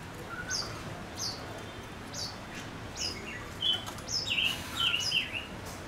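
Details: Decoy male Gouldian finch gives spaced, sharp, high chirps, then a quicker run of twittering, warbled notes toward the end.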